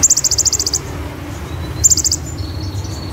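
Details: Brown-throated sunbird (konin) in roll tembak song, imitating cililin and ciblek; a long very high rapid rattling trill, then a shorter one and faint thin twittering notes, over low background rumble.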